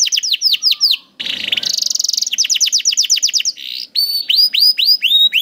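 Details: Training song of a canary, meant to coax young or silent canaries into singing: quick descending chips, a harsh buzzy burst, then even rising whistled notes repeated about four per second.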